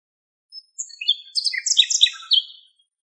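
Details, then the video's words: Common nightingale singing in Greek nature, recorded from a long distance: one varied two-second phrase of high whistles, slurred notes and rapid buzzy trills, rising and falling in pitch, with no other sounds. "Αηδόνι Κελάηδημα Φανταστικό - Nightingale Fantastic Singing"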